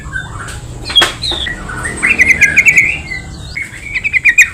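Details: Yellow-vented bulbul song played as a lure to make other bulbuls call back: a sharp note, then a rapid chattering run of bubbly notes and a final burst of quick warbled notes over a faint high steady hiss.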